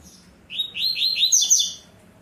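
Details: Caged double-collared seedeater from a breeder singing the tui-tui zel-zel song style: a quick run of buzzy, slurred notes climbing and tumbling between high pitches, ending in a bright, thin flourish, with a faint low hum beneath.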